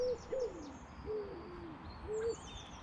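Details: A distant wood pigeon in mixed woodland beside a lake at Walton Park nature reserve near Preston gives soft, low, hooting coos in a slow broken rhythm, with faint high chirps of small birds behind.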